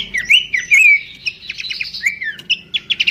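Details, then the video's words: Babbler called pelanduk semak in melodious song, kept as a master recording for training birds: twisting whistled notes and long slides, a buzzy trilled passage, then quick repeated chirps, with a soft low hum underneath. "goyangan merdu khas burung pelanduk semak"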